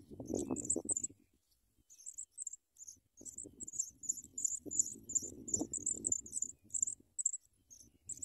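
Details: Sprague's pipit babies receiving big worms from an adult bird. Shrill, high chips build into a rapid, chattering series of paired notes, accompanied by bursts of rustling and fluttering.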